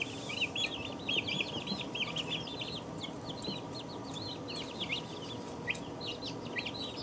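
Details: A flock of two-week-old chicks keeps up a steady stream of high, quick peeps, roughly eighty a minute, overlapping birds forming a constant chirping chorus over a low hum.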